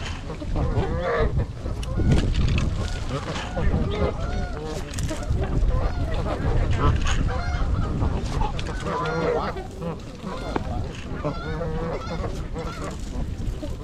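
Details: Winter flock of 42 trumpeter swans, 26 adults and 16 juveniles, at Gallup Park in Ann Arbor, Michigan, January 8th, recorded on a GoPro; many overlapping nasal honks in a busy chorus, with low rumbling background noise.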